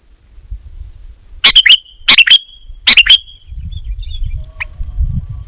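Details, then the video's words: Golden-fronted leafbird in full, busy mimicking song, giving three quick harsh chattering bursts about a second apart. A steady high hiss runs throughout, and a low rumble rises at the end. "Ternyata seperti ini suara burung KUTILANG EMAS 😲 gacor isian"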